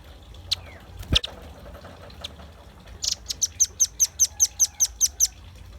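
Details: Velvet-fronted nuthatch in vigorous song, used for luring birds: a few scattered clicks and a knock, then a quick, regular series of about a dozen shrill, very high chips.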